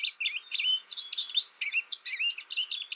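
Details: American goldfinch giving a fast, continuous twitter of high, bright chirps and short slurred whistles, tightly packed notes with no pauses, no other sounds.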